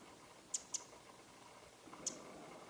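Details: Winter wren (Troglodytes troglodytes) calling from a leafless branch on a winter morning in late January 2013 in Japan: three sharp, dry, high ticks, two close together and then one more after a pause, over quiet background hiss.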